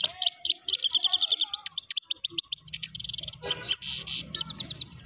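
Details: European goldfinch singing at Parachinar in 2022: a fast, liquid run of high twittering notes, rolling trills and tinkling buzzes, with rapid repeated phrases and short rattling bursts.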